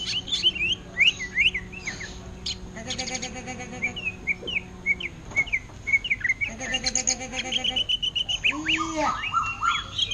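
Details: Caged greater green leafbird singing continuously in orange-headed thrush style: strings of short whistled slurs and chattering chirps in rapid series, with brief louder bursts and a faint low droning tone.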